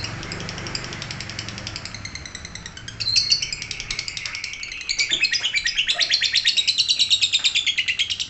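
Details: Lovebird in a 'ngekek' bout: faint, unsteady high notes at first, then from midway a loud, fast, buzzy chatter of repeated notes, about three per second, steady and continuous to the end.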